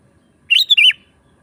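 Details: Sooty-headed bulbul, a lively song used as a lure for wild birds in the forest; a single clear phrase of a rising whistled note sliding into a wavering downward flourish.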